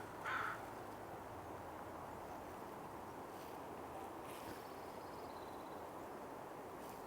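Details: American crow at an estuary at low tide in breeding season gives a single harsh, hoarse caw near the start, then silence over steady wind-like hiss, with a faint thin note from another bird.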